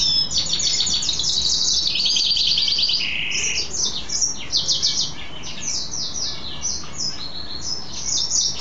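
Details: Male mule goldfinch, a goldfinch hybrid, singing happily after bathing; fast buzzy trills and rattling chirp series alternate with sweeping twitters high in pitch, continuous throughout.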